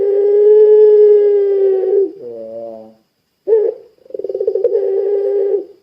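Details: Long, even coo from a gacor puter pelung spotted dove, meant to spur other doves to join in, followed by a lower throaty coo, a brief pause, a sharp note and a fast pulsing trill.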